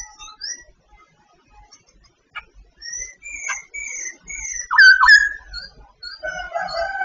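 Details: Singing Sooty babbler of Vietnam giving a varied series of short whistled phrases, some level, some slurred, building to louder, rougher, more complex notes near the end, with brief gaps between phrases.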